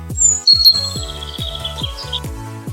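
A robin gives a few high, clear whistled notes that slide downward, over a light repeating musical backing.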